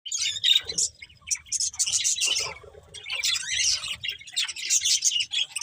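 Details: Colourful budgerigars, a breeding pair within a budgie family, chattering with dense, scratchy, high chirps and warbles in rapid bursts, with short pauses near one and three seconds and faint low thumps beneath.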